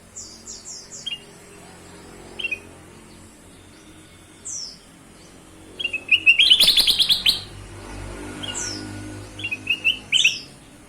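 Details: Ruby-throated bulbul song played as a lure to prompt other birds to sing: scattered high chips and short whistles, then a loud rapid run of bright whistled notes, followed by a few more phrases.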